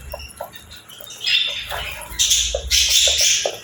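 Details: Captive pet budgerigar chirps playfully in short grating squawks and scratchy high trills that build into loud harsh bursts near the end, with faint clicks and low rumble behind.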